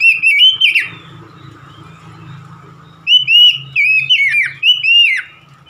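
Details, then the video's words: Oriental magpie-robin singing loud, clear whistled phrases: a burst of bright, slurred notes, a pause of about two seconds, then a rapid run of rising and falling whistles. A low steady hum runs beneath. "KACER SETRES MACET BUNYI LANGSUNG GACOR"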